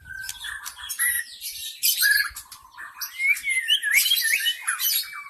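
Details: White-rumped shama from the forest, used to lure shamas: short whistles and clicks, then a bright, looping whistled phrase rising and falling, with faint low thumps early on.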